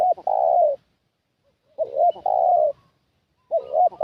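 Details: Spotted dove kept as a decoy to attract wild doves, calling a repeated coo: two quick rounded notes and a longer even note, phrases about every one and three-quarter seconds, otherwise quiet.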